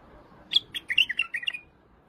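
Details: Iraqi white-eared bulbul delivering one brisk phrase of about six chirpy, slurred whistled notes, the first sharp and high and the rest tumbling downward, over quiet low background noise.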